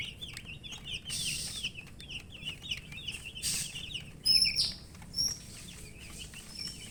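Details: Thirsty colour chicks chirp for drinking water. A group gives rapid, high, shrill peeps that slide downward, with brief noisy rustles and a few sharper, higher whistled notes midway.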